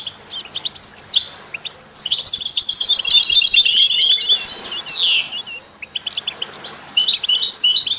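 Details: European goldfinch song, presented with canaries and goldfinch-canary mules as stimulation for other songbirds: dense, bright twittering with rapid trills and buzzy notes in long bursts, separated by brief quieter pauses with scattered chirps.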